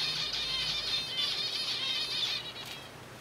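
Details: Zebra finch colony in captivity while eating softfood: dense overlapping nasal chatter from many birds, a continuous busy blend of short buzzy notes that fades toward the end.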